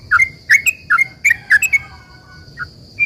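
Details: Sooty-headed bulbul in full voice, a long rapid 'ropel' song used as a lure to make other bulbuls reply: bright, bubbly chirped notes in quick bursts, then a pause and two lone notes, over a steady faint high background tone.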